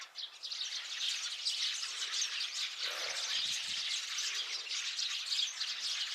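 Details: Massed sparrows chattering, dated 8 February 2024; unbroken overlapping tweets and chirps fill the clip, with a few soft low thumps near the middle.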